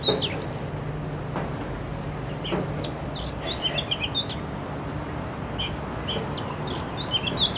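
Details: Oriental magpie-robin in an urban setting, Canon R6: scattered chirps, then clusters of high descending whistles and warbled notes, returning near the end, with constant low hum.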